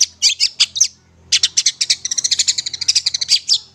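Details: Long-tailed shrike song used as master song for tutoring young birds still being hand-fed: a high chirpy burst of notes, a brief pause, then a fast run of sharp, varied twittering notes.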